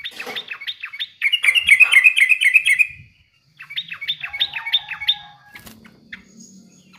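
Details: Bubbly yellow-vented bulbul song meant to prompt other birds into singing, given as two bursts of quick, jerky warbled notes separated by a short pause, ending with a faint low hum.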